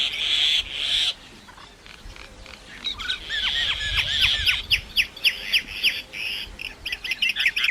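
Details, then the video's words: Common myna making different sounds: two hissing bursts, a pause, then a long wheezy rattle and rapid series of short down-slurred whistled notes that speed up toward the end. "Common Myna Bird sound like singing (Making different sound)"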